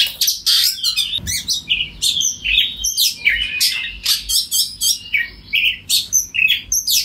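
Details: Kacer, the oriental magpie-robin, sings a vigorous ngeplong song meant to call other magpie-robins into answering: rapid alternation of clear whistles, rasping chatters and sweeping notes, dense phrases pulsing roughly every half second, one soft low thump.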